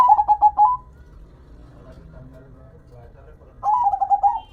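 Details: Local zebra dove kept by a hobbyist, singing actively: two quick stuttering phrases of soft cooing notes, one at the start and one near the end, with a quiet pause between.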